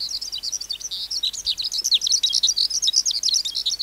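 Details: A wild-caught caged skylark pours out a fast, unbroken stream of high, twittering and trilled notes, packed with rapid chirps and buzzy flourishes.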